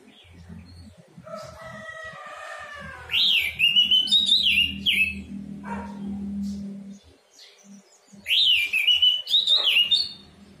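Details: Orange-headed thrush song in a lure recording for a bird that has stopped singing: two bursts of sharply rising then falling whistled phrases, with softer lower sounds and a steady low hum in between.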